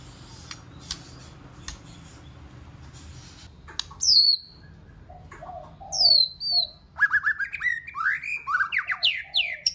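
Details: White-rumped shama song meant to stir other shamas into singing: a noisy stretch at first, then two high ringing whistles, followed by a fast run of sweeping, chattering notes.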